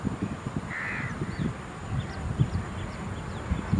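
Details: House crow, one of a group mobbing a black-winged kite at Pallikaranai Marshland Park, Chennai, India, gives a single harsh, rasping caw, with faint, thin calls behind it, over a steady low rumble of wind or handling noise.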